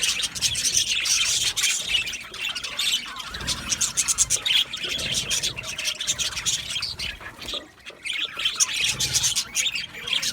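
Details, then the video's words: An Australian budgie colony in an aviary, continuous chirps and warbling chatter from many birds, with a brief dip in the calling near the eighth second. "Budgies chirping sounds"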